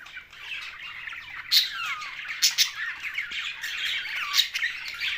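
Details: Budgerigars calling: a soft warbling twitter punctuated by several sharp, loud squawks at intervals of about a second.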